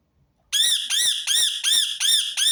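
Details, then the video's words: Rose-ringed parakeet calling loudly with six harsh, arching screeches, each roughly a third of a second long with brief gaps, steady and evenly spaced; the call is repeated to make other birds sing. "أقوى صوت ببغاء درة متكرر | سيجعل طيورك تغرد دون توقف"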